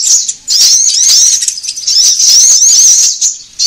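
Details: Lure recording of a sunbird meant to make birds gather: after a short opening chirp, a sustained run of thin, piercing, wavering twitters and squeaky slurred notes, tailing off near the end.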